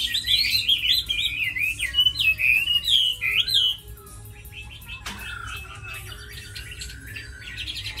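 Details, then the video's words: A tame Chinese hwamei kept for fighting and singing gives rich rolling whistled phrases, swooping up and down in rapid loops for about four seconds, then drops to softer, scattered notes and faint chirps. "Mi thuần đấu tốt hót hay"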